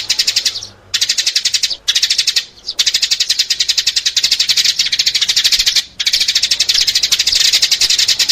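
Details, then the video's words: Sparrow calls used to attract sparrows: long, steady streams of quick, high, scratchy chirps with a few short breaks. "เสียงต่อนกกระจอก 2021 ສຽງຕໍ່ນົກກະຈອກ 2021"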